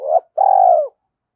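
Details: Spotted dove cooing as a lure call to provoke wild doves: two clean, mid-pitched coo notes. The first is short and slightly rising. After a brief gap comes a longer, steady note that falls at the end. No other sounds.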